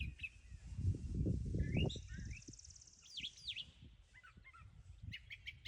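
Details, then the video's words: A male Brown Thrasher singing through his repertoire: varied phrases of slurred whistles, chips and a high buzzy trill in quick succession, over low rumbling wind noise at the start. "Brown Thrasher singing thru his repertoire!"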